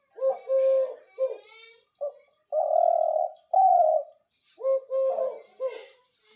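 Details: Captive doves, including a pair and a single male kept as hunting birds, call at night with soft, low, hollow coos in short broken phrases and two longer drawn-out notes in the middle; the room is otherwise quiet.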